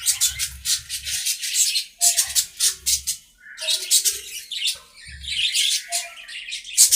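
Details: Aviary budgerigars chattering to each other during play, making dense, loud rasping bursts in quick rhythmic runs, with low thudding knocks recurring between them.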